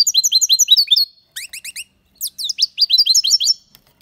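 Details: European goldfinch singing loudly: rapid tinkling, twittering phrases of short rising and falling notes high in pitch, broken by brief pauses, then resuming in fast liquid runs.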